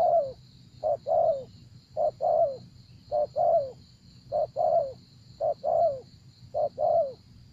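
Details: Spotted dove used as a decoy to lure wild doves: paired coos, a short note then a longer falling one, repeated about once a second, over a steady high whine and low rumble.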